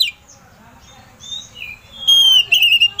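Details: Oriental magpie-robin (kacer) song used as a lure to provoke another magpie-robin into excited singing; soft, scattered high whistles at first, then loud, clear whistled phrases and a rapid warbling trill over the final second.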